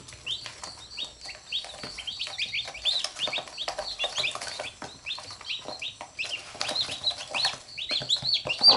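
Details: Chicks with their mother hen, the chicks biting her and the hen pecking them up: dense bursts of high, short, downward-sliding peeps, many overlapping chicks calling almost without pause, with faint rustling below.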